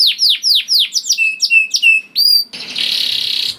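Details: Young canary lure song for encouraging silent canaries: regular falling slurred whistles about every quarter second, shorter upswept notes, then a dense buzzy rattle to the end.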